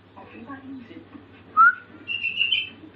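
A young sooty-headed bulbul tries out copied phrases: a short rising whistle, then a longer, higher whistled note, over a low indoor hum and faint murmuring.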